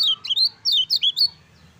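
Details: Caged Lemon-bellied white-eye singing in a recording meant as master song to prompt reluctant birds to call; quick high slurred chirps, rising and falling, six notes in just over a second, ending abruptly.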